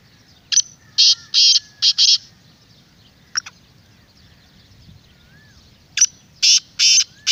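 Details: Two phrases from a black francolin, a call meant to lure wild birds into replying. Each phrase is a series of harsh, scratchy, clipped notes. A quiet pause separates the phrases, and a faint whistled note sounds in between.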